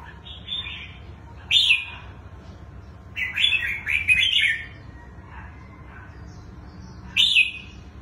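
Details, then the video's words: Red-whiskered bulbul, a wild-caught adult praised for its twisting song style. It gives scattered short, warbling whistled phrases, including a quick tumbling run in the middle, over a steady low hum. "Chú chim bổi giọng xoắn hay"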